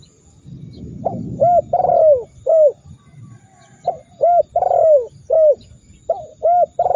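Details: Spotted dove training call to make rival birds call: after a brief low thump, three repeated phrases of soft hoots and a drawn-out downward coo follow at a steady pace.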